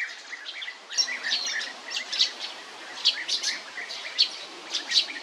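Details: European bee-eater: soft burry rolling calls at mid pitch mixed with sharper, higher chirps repeated in quick bursts, all over a light hiss of outdoor ambience.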